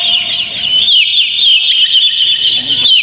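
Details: Oriental magpie-robin song meant to trigger a caged bird's singing: bright chattering twitters repeated fast over a steady high tone, slightly softer at the start.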